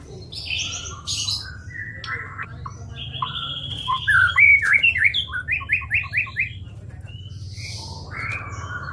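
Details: White-rumped shama song for training songbirds: scattered notes at first, then a loud quick series of repeated chirps near the middle, fading to soft calls and hum.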